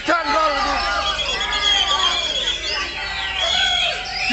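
Oriental magpie-robin pouring out a dense, nonstop stream of varied whistles, trills and sweeping notes, high and loud, with faint voices and other birds behind.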